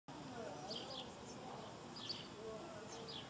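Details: Southern martin recorded in Córdoba in December 2011: faint, high, descending chirps given in short pairs, about three bursts over a few seconds, over steady background hiss.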